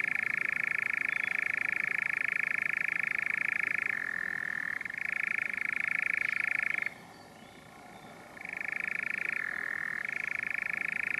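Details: European nightjar (Caprimulgus europaeus), Kaaistoep near Tilburg, Netherlands, 7 June 2018, churring: a long, steady mechanical trill shifting pitch every few seconds, breaking off briefly, then resuming with the same rising and falling switches.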